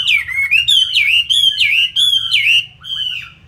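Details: Loud Chinese hwamei from Hanoi, Vietnam, sold as a strong fighting bird. Clear ringing whistles swoop down and up in a quick repeated series of looping notes, strong and unbroken.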